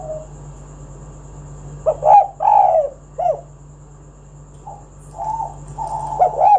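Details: Spotted dove, played to coax other doves into song: after a quiet start, a few short, hoarse, low coo notes arrive in an uneven cluster, then softer drawn-out coos near the end.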